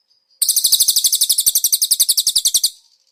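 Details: Caged konin master song with cililin fill. After a soft faint note, one unbroken high, rattling trill of evenly spaced sharp notes runs for over two seconds and stops abruptly.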